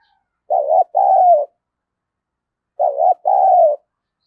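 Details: Two rich double coos from a decoy spotted dove calling to provoke fighting: a short throaty note then a longer, slightly falling one, the phrases about two and a half seconds apart, with no other sounds.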